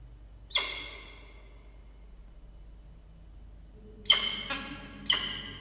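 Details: Falcon at its nest with newly hatched chicks, two hatched on 2 and 3 October 2023, recorded 6 October 2023 at 16:43; one harsh, ringing call with strong overtones, then after a quiet stretch two more in quick succession near the end.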